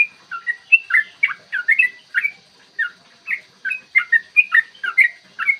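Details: Yellow-vented bulbul, morning lure song in the long 'ropel' fighting style to make other bulbuls call and get worked up. Tumbling liquid whistles in quick clusters, a brief lull midway, then a dense, loud finish.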